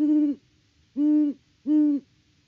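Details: Deep hoots from a great horned owl at the nest on a farm in Peabody, Kansas, picked up by a live cam in mid-October 2023: three level, resonant notes of similar length, about two-thirds of a second apart.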